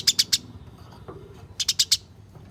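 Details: Fighting house sparrows, used to prompt caged sparrows into song: two quick groups of three and four harsh, high chirps with a brief quiet gap between them.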